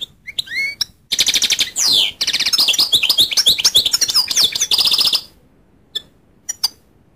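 A goldfinch sings a fast, high, tinkling twitter of liquid trills and buzzy notes for about four seconds, with a few scattered chirps before and after.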